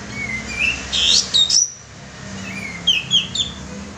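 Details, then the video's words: Kapas tembak bulbul lure call: a few sliding whistled notes and sharp chirps in two short bursts separated by a brief pause. "suara pancingan burung kapas tembak"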